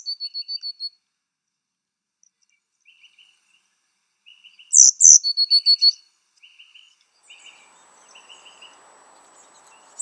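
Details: High, thin coal tit chirps at a nest box in a garden, adults rearing chicks in late May: rapid clustered tweets, a loud burst of sharp notes midway, softer twitters, and a faint hiss late.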